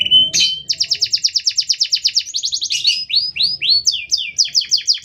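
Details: Canary in full song meant as a master or provocation for other canaries: a long run of rapid repeated downslurred notes, shifting into varied faster phrases and high falling whistles, with faint low background noise.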